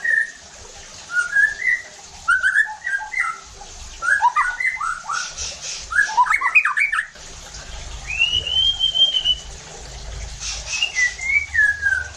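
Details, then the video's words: White-rumped shama singing as a provoking lure for other shamas: quick chattering clusters of whistled notes, about four per second, then a long smooth rising-and-falling whistle and a short descending phrase. "PANCINGAN EFEKTIF JADIKAN MURAI BATU NEMBAK KASARR UNTUK MENINGKATKAN EMOSI DAN BONGKAR ISIAN"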